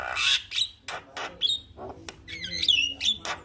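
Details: Caged Javan myna (jalak kebo) singing in response to a lure recording: harsh broadband squawks and rasps mixed with short high whistled notes and squeaks, loud and irregular.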